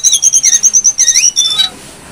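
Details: Brown-throated sunbird singing vigorously, recorded as a lure and tutor for training songbirds: a fast run of about fifteen high, thin, sharp notes, then a short bright trill and a falling note before quiet background hiss.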